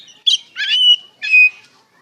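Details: White-rumped shama song used as a lure to make other shamas answer: three short bursts of rich whistled and chattering notes, each ending in a sustained high whistle.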